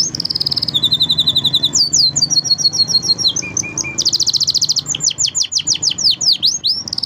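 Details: Training song from five singing canaries, packed with bright high trills, buzzy rolls and steep down-slurred notes repeated several times a second, shifting quickly from one tour to the next.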